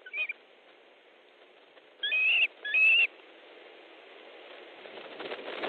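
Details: Osprey nest in Estonia, 3 August 2014 at 15.30, a fish delivery underway: two slurred, whistled calls about a second apart over a steady rushing background, with a brief note at the start.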